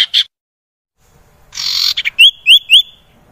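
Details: Common iora song used to make idle caged birds respond: two short rough notes, a buzzy burst, then three clear rising whistles spaced about a quarter second apart.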